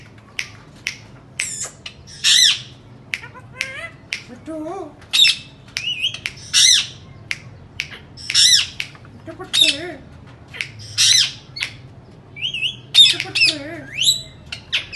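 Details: Indian ringneck parakeet calling indoors over fifteen seconds, sharp clicks interspersed with loud harsh squawks and occasional low wavering murmured notes.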